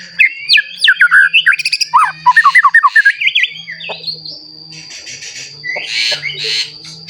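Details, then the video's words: White-rumped shama song meant to stir other shamas to sing; a fast burst of varied whistles and chattering notes in the first half, then rougher, fainter sounds with a low hum and a constant high tone. "Murai Batu Gacor Ampuh Untuk Pancingan Murai Batu Agar Bunyi Langsung Emosi"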